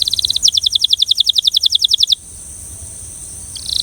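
A Belgian canary sings a fast, even trill of bright, high notes, about a dozen per second, then pauses before starting again.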